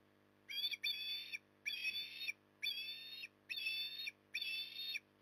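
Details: Port Lincoln, Australia, 9 October 2020, an osprey stuffing itself at evening: a regular run of six sharp, piping whistles, each about half a second long, evenly spaced, with a steady low drone beneath.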